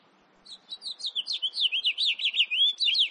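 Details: House finch recorded in 2018 giving a fast warbled phrase of about fifteen sweeping notes, climbing and dipping in pitch, delivered without pause and ending in a sharp upward note; faint low background hum.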